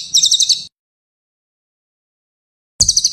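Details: Cililin recorded as training audio for songbirds: a short burst of quick, high, chirping notes, then silence and the start of another high trill.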